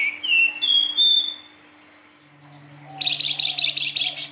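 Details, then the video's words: Silver-eared mesia in fluting nyuling style: a few bright whistled notes gliding down then up and holding level, a quiet pause, then a fast burst of harsh, buzzy chattering notes over a low steady hum. "Burung Flamboyan gacor nyuling banyak di cari kicau mania"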